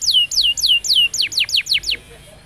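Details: Canary song for training young birds: a series of about nine loud, sweeping downslurred whistles, repeated roughly every quarter second, fading to quiet at the end.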